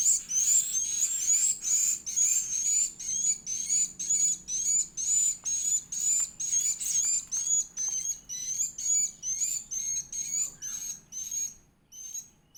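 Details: Young edible-nest swiftlet feeding: a long, steady series of piercing high squeaks, roughly two per second, evenly spaced and strongly rhythmic for over ten seconds before tailing off into short pauses.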